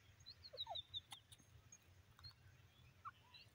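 Young francolin giving faint, thin, high peeps in a quick cluster, then a lone peep near the end, with a few clicks over a low background hum.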